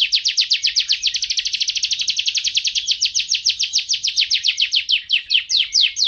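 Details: Canary song used to train pet songbirds. One long, fast, evenly pulsed trill, nearly four notes a second, slows slightly near the end.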